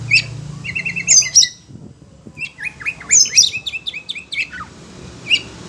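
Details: Oriental magpie-robin in a cage, agitated by other birds' calls, pours out fast trills, sharp high chips and descending whistled slurs in two bursts separated by a brief pause.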